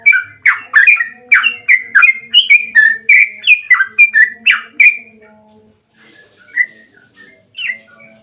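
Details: Lure song of a Yellow-vented bulbul meant to trigger replies from other bulbuls: a fast burst of loud, chattering, bubbling notes for five seconds, then silence broken by two short whistled phrases.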